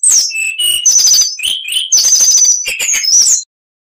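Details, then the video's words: Kacer, the oriental magpie-robin, in continuous varied song used as bird-training material: fast strings of high sharp notes alternating with lower whistled slurs and rattling trills, about three and a half seconds, then silence. "MASTERAN KACER .MATERI FULL"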